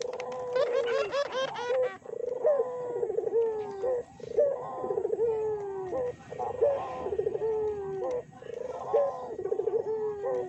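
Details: Barbary doves cooing, used as a lure to make other doves call. The clip opens with a fast rolling trill, then gives a steady series of falling, gurgling coos about every two seconds.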